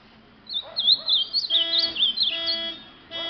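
An ultramarine grosbeak sings a rich, fast warbling phrase of high sweet notes lasting over two seconds, over a steady electrical-sounding hum.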